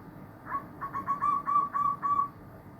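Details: Zebra dove in a chorus of many birds, giving a soft, clear cooing phrase of about seven quick, evenly spaced whistled notes on one steady pitch.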